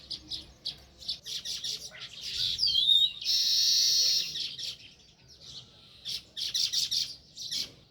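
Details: Sparrows chirping near their nest in a rural village; quick clusters of bright chirps, a short whistled slide, then a sustained harsh chatter before the rapid chirping resumes.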